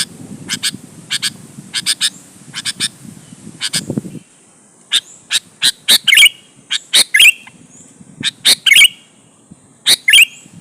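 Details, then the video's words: Sooty-headed bulbul used as a lure for rival bulbuls: evenly spaced pairs of dry chirps over low rumbling noise, a brief silence, then louder chirp clusters with downslurred endings. "suara burung KUTILANG GACOR MENEKAN LAWAN 100% ampuh buat pancingan kutilang agar nyaut dan GACOR"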